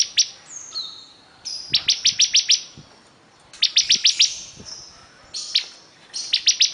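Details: Busy bar-winged prinia song: thin whistled glides and clusters of five or six quick, sharp, high chirps, repeated in bursts with quiet pauses between them.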